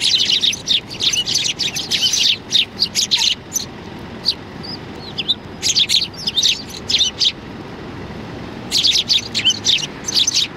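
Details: Sparrows flocking in to be fed at Tenmangu shrine on 16 January 2020 give bursts of loud high chirping, separated by quieter spells with a few thin single notes.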